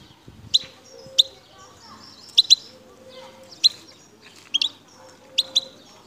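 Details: Wild Algerian goldfinch, El Tarf sector near Bouteldja, making a scattered series of sharp high single and paired chirps over soft low background noise.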